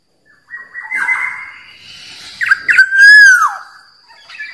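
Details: Wild Black-naped oriole song used to provoke rivals: a drawn-out whistled note, then a few short sharp notes leading into a loud, fluty, slurred whistle that rises and falls, ending in a brief pause.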